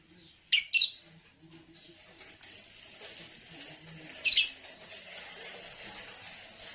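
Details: Green Fischer's lovebird giving two short, shrill double chirps about four seconds apart over a steady hiss of background noise.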